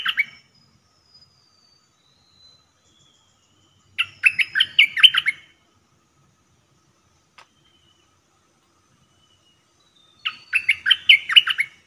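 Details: Caged Red-whiskered bulbul used as a trapping decoy, giving bursts of rich, bubbling warbled song about six seconds apart, with a faint thin whistle drifting between phrases.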